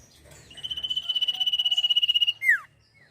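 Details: Sirpu singing actively with its trill, recorded as songbird training audio: a steady, rapid series of high pulses builds over nearly two seconds and drops into a clear downward-slurred whistle, with faint chirps behind.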